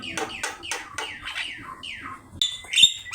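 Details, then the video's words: Javan myna, master recording for training birds to sing: a run of quick descending buzzy notes, about six in two seconds, then sharp high whistles and squeaks. "Suara jalak kebo gacor"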